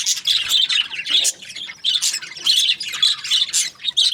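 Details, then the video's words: Several budgies twitter in short, rhythmic pulses of sharp, high chirps, each burst lasting a fraction of a second, separated by brief dips. "Beautiful budgies chirping sounds"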